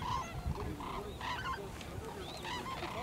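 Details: White-naped cranes calling as a flock at Junam Reservoir, South Korea, feeding in the fields and passing overhead. Short, ringing harmonic honks repeat several times a second, overlapping, above low rumbling noise.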